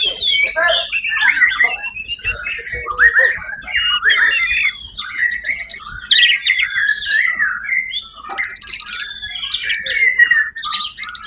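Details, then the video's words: Competition white-rumped shama, champion at the Suara Agung event on 1 October 2023, singing a long sequence of sweeping whistles, harsh rasping bursts and quick trills, loud and continuous. "murai batu predator juara 1 di ivent Suara Agung 1 okt 2023"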